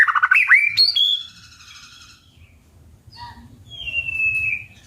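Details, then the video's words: White-rumped shama singing competitively: a burst of rich rising whistles and a high sustained note, a pause, then a few soft notes and a long, slowly falling whistle over faint low rumble. "chòe lửa hót đấu"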